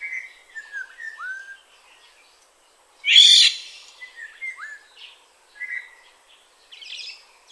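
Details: Black-naped oriole, Tainan City, 21 June 2017: a series of short liquid whistled notes, some curving downward, broken by a sudden loud harsh rasping burst midway, then more scattered fluty notes.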